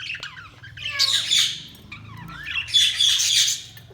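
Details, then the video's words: Pet budgies give two loud bursts of harsh, buzzy chatter mixed with quick whistled chirps and upward-sliding notes, quieter twittering between the bursts, and a faint low hum throughout. "Budgies Sounds| Budgies Chirping sound"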